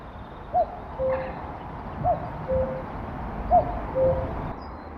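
A Common Cuckoo gives its soft, falling two-note 'cuck-oo' about every second and a half, over a steady low background rumble.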